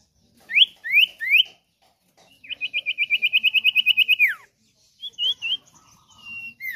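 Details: Common iora (sirtu/cipoh) song meant to lure and train cage birds: three rising whistled upslurs, then a long rapid trill of pulsed notes ending in a downslur, followed by scattered whistled notes.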